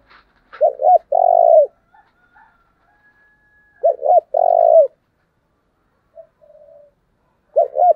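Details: Decoy spotted dove calling in the 'thúc' style to stir up wild birds: three low cooing phrases roughly every 3.5 seconds, each a quick double note and then a long drawn coo, with soft murmured notes in between.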